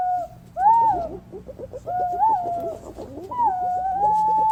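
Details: Flock of green pigeons recorded as a lure in Thailand: loud, arching fluty whistles, repeated three times and ending in a long held tone, over a background of rapid, short twittering notes.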